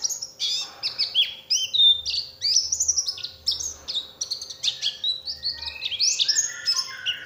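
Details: Oriental white-eye lure song to get other white-eyes singing: continuous high, varied warbling of chirps, slurred whistles and short trills with barely a pause.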